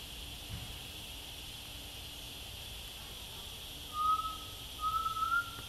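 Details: Undulated tinamou (Crypturellus undulatus) singing in Bodoquena, Mato Grosso do Sul, Brazil: two mellow, drawn-out whistles, the second slightly rising, over a steady background hiss. The bird is often heard but rarely seen.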